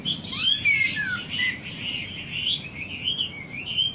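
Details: Wambi song played as a lure to get birds singing: a busy run of high chirps and short slurred notes over steady low background hum.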